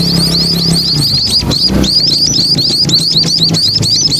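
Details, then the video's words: Munias beside a main road, calling loudly in a continuous chorus of short high chirps with traffic noise underneath. "burung pipit dipigir jalan poros"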